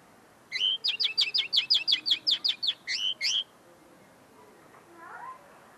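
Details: Tame common linnet, still refining its song notes, singing at close range: a rapid, even twittering run of about fourteen sharp, high notes lasting three seconds, ending in two slurred notes, then a faint softer call.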